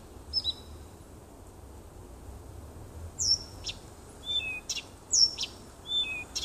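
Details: Singing nightingale in a little woodland by a house, late June 2015; after a brief early whistle and a long pause, crisp sweeping whistles, click notes and level piping tones arrive in two close phrases.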